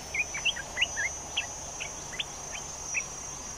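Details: Caged olive-winged bulbul kept as a decoy for trapping. It gives a quick run of short, bubbly chirped notes, some rising and some falling, about two to three per second over a steady high hiss.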